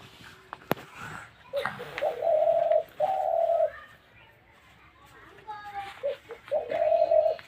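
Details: Spotted dove repeating flat, sustained coos in a loose series, with a gap of soft chatter and a sharp knock heard early on.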